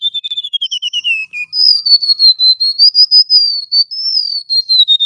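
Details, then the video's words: Vigorous song of a male golden-bellied gerygone: a falling trickle of quick, pure whistles, then a higher, steady stream of slurred notes that wavers up and down at a fast, even pace. "Suara asli burung REMETUK LAUT GACOR"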